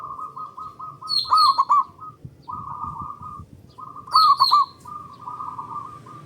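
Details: Loud local zebra dove used as a singing lure: a steady run of short soft coos broken twice by a bright, trilled bubbling phrase, with high descending chirps above each phrase.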